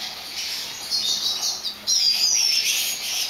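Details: Captive-bred lesser goldfinch of the subspecies jouyi, recorded in 2011: high, thin twittering song with whistled slurred notes and fast trills, a brighter burst of phrases starting halfway through.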